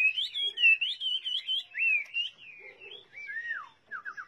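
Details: Chinese hwamei sings a wavering run of slurred whistles, then longer downward-sweeping notes, and ends with quick repeated falling chirps; faint low chattering underneath.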